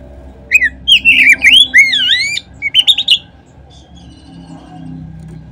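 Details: Kacer, the Oriental magpie-robin, singing as a lure to trigger song in other birds. About two seconds of rich, swooping whistled phrases, a short pause, then a brief burst of higher notes before silence and low hum.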